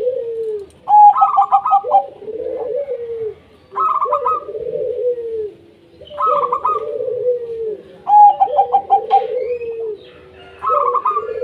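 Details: Zebra dove of local wild stock, singing as a lure to prompt other doves: a high rolling trill runs into a long descending purred coo, the pattern repeated about every two seconds with quiet gaps.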